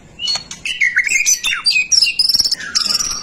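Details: White-rumped shama song for stimulating other shamas to sing: a short burst of quick whistled notes, falling slurs and a high rattled trill, bright and clear.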